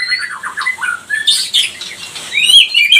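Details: White-rumped shama of the pastol type singing to excite rivals; a run of rapidly repeated falling whistles, a loud harsh rasp, then bright high rising whistled notes.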